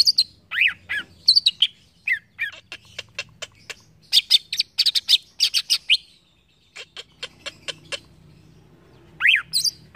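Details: Green leafbird song used as training material for caged songbirds: a varied, high run of sharp chirps, rapid clicking notes and short downslurred whistles, broken by a brief pause, then a bright falling whistle and high chips.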